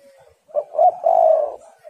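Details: Low cooing phrase from a female spotted dove, used as a lure to excite males: a faint lead-in note, a quick doubled coo, then a long rolling coo and a soft fading note. The background is quiet.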